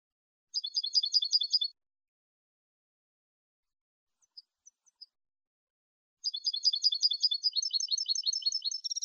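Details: Malagueño-style European goldfinch song, clean, for training goldfinches: a rapid high twittering phrase, a few faint isolated chirps, then a long fast run of liquid repeated notes and trills.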